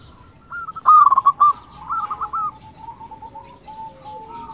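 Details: Zebra dove of a local strain in full song, meant to stir rival males and raise breeding urge: one loud run of quick staccato coos around the first second, then softer drawn-out cooing phrases trailing away, with faint distant doves behind.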